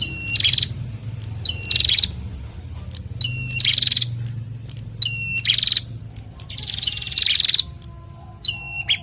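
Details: A bar-winged prinia male and female sing back and forth in lively exchange. Phrases open with a sharp high note and fall to a lower whistled note before a fast buzzy trill. There are about six phrases, spaced irregularly, over a steady low hum.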